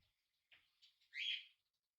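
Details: Tame budgerigar chick on its first day at home indoors gives a short soft twitter followed by one louder warbled chirp.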